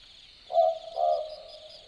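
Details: At night in Australian bush at Dharug, an Australian Boobook gives its typical 'boo-book', two soft hooted notes about half a second apart, set against a constant shrill insect hum.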